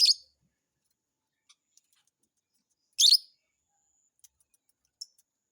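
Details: Lovebird uttering two loud, harsh, high-pitched chirps three seconds apart, separated by quiet ticking clicks and a faint thin whistle.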